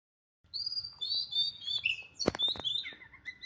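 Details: Caged Oriental magpie-robin sunned in the morning, singing a run of clear, high whistled notes that slide and waver. The phrases flow almost without pause, with one sharp click in the middle.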